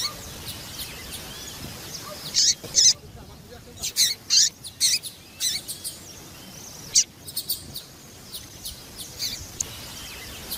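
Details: Female double-collared seedeater calling as a "piadeira" to excite males; bursts of high sharp chirps come in irregular groups, separated by short quiet gaps.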